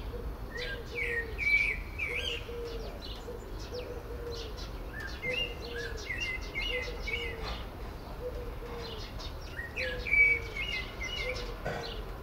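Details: Common blackbird in song on a favourite Port Orford cedar beside a dove: mellow whistled phrases with scratchy high twitters, while soft low coos repeat about every second underneath throughout.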